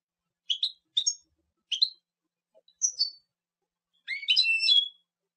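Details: Clear, high two-part chirps from a European goldfinch, spaced with short pauses, ending in a fast, liquid tangle of twittered notes; a very faint low click midway.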